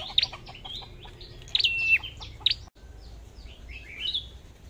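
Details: Red-whiskered bulbul, a caged songbird, giving short whistled song phrases with a sharp rising note and a held flat whistle, then softer, fainter phrases after a brief gap.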